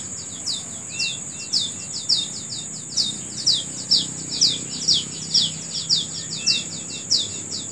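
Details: Bird singing outdoors in the morning: bright, high chirps sliding downward, delivered about twice per second without pause, a few softer lower notes between, all over a steady piercing insect drone.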